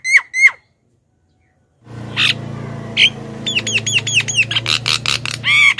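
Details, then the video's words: Black-winged myna lure call used to attract wild birds: two sharp whistled notes, a pause, then a fast run of harsh, screechy calls and clipped whistles over a low steady hum. "suara JALAK KEBO pikat"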